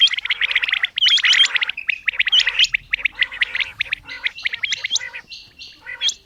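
Female common quail giving busy, high squeaky chirps and short chattering notes in rapid, uneven bursts; no other sounds stand out.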